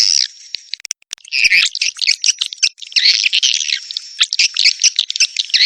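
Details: Swiftlet calling sound, 'tombak raja' type, used by swiftlet farmers as a lure: almost nonstop shrill twittering and rapid chirps, with a brief pause near the start before the chatter resumes.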